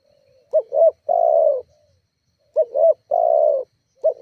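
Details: Spotted dove lure call for stirring up rival doves: two phrases, each a pair of short hooting notes followed by a long even coo, about two seconds apart, preceded by a faint soft note.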